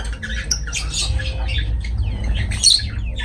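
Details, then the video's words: Pet lovebirds chattering continuously: a dense overlapping stream of high squeaky chirps, harsh squawks and brief upward whistles, along with low rumbling background noise. "Love birds voice sound"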